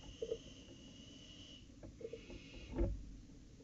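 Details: Barn owls at the nest during an owlet's first flight, night of 23 July 2018; a single drawn-out hiss that fades after about a second and a half, followed by scuffling, tapping and a loud thump.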